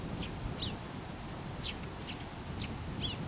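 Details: Close-up Eurasian tree sparrow muttering to itself with six or so sharp chirps, a few doubled and twisting, spaced unevenly over three seconds, backed by a constant deep rumble.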